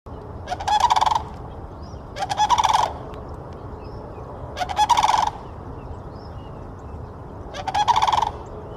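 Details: Sandhill cranes in Florida give four short, rolling rattled calls, each about half a second long and spaced roughly two seconds apart, harsh and trumpeting over a steady low background hum.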